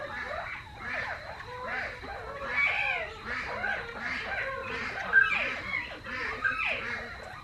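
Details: Adult Northern Bobwhites in a quail barn inspect fully feathered young bobwhites newly moved in with them, treating them as intruders. They give a busy chorus of overlapping chirps and slurred whistled notes, many rising and falling, over a quiet indoor hum.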